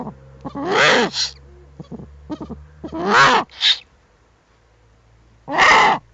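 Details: Eurasian eagle-owl at the nest with owlets, webcam, 21 April 2020, giving three harsh, hissing rasps about every two to three seconds, with soft knocks and a low hum between.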